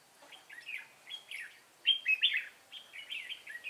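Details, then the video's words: Red-whiskered bulbul singing near a fighting trap set with a decoy bird: bright, warbled chirping phrases, quick rising and falling notes bunched in bursts about every half second, loudest in the middle, quiet background. "Bẫy chim chào mào hót hay"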